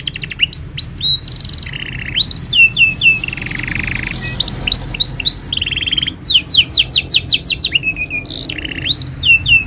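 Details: Master song of a canary for training juveniles and triggering silent birds; rich mix of sweeping whistles, nasal buzzy rolls, low churring passages and fast staccato trills, sung without pause for almost ten seconds.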